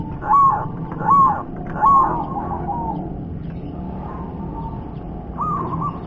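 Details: Local zebra dove from the wild, its song cooing in three loud rolling phrases near the start, then softer trilled notes and a final rolling coo; steady low background hum throughout.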